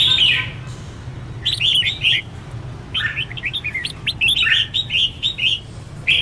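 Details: Red-whiskered bulbul singing competitively, used to train and excite other bulbuls; a rapid chattering string of short bright notes, rising and falling, after an opening warble, over a steady low hum.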